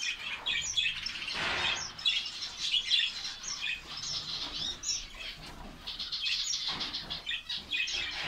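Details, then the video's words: Colony of finches in Saudi Arabia, busy high twittering from many birds mixed with frequent wing flapping and rustling, chirps overlapping throughout. "fince birds colony ফিঞ্চ পাখির কলোনি"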